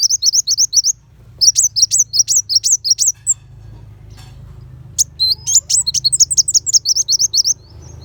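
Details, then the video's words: Sunbird tutor song for training white-rumped shama, 'tembakan besetan' bursts: a quick high chirping phrase, a longer rapid string of sharp twitters, a pause over faint background hum, then another fast volley. "Pancingan Kolibri Wulung Full Tembakan Besetan Pedas"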